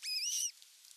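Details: Osprey at its nest in Finland on 27 June 2022, arriving with a whole fish for dinner: a single clear whistled call of about half a second with a slightly wavering tone and bright overtones, then quiet.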